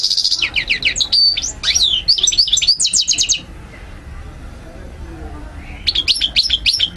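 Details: European goldfinch twittering for training young birds: a dense chain of sharp chirps, slurred whistles and fast trills, then about two seconds of quiet room noise before the twittering resumes.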